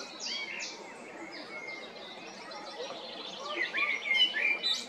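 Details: Singing male blackbird recorded at Jarun or Prečko, Zagreb, Croatia, in spring 2022: soft whistled notes and high squeaky slurs, building to a louder, dense twittering phrase near the end over a low, steady hiss.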